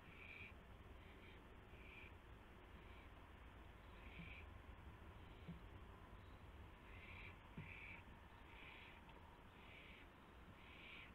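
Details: Owl calling at the nest at night in March 2016 as a gopher arrives as prey. Harsh hissing bursts come in irregular clusters, some doubled, with a few faint taps beneath.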